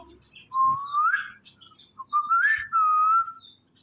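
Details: Indian ringneck parrot producing clear whistled talking phrases: a tone that climbs gradually, a short pause, then a second rising whistle leading into a steady, level note.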